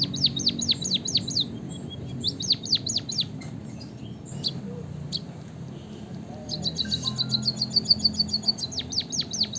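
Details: Bursts of high falling whistles from a white-headed munia (emprit kaji) alternate with quiet gaps, then a fast buzzy high trill runs into more down-slurred notes, over low background hum.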